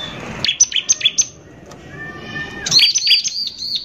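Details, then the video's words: Bar-winged prinia giving harsh 'nembak kasar' lure song. Five crisp high notes in quick succession, a quieter stretch with a faint whistle, then a renewed run of bright slurred notes. "PANCINGAN CIBLEK GACOR NEMBAK KASAR INI PALING BISA BIKIN CIBLEK EMOSI"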